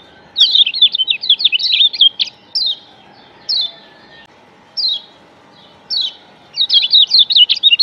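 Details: Yellow white-eye from Lombok, known locally as kecial kuning, singing as a lure to draw other white-eyes: rapid high twittering phrases of zigzag notes, bursts separated by short single chirps, with a faint steady low hum behind.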